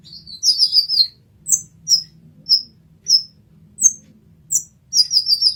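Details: Olive-backed sunbird in a 'masteran' recording. Rapid high twittering starts and ends the passage. In between are separate, thin, piercing chirps, with a faint low hum throughout.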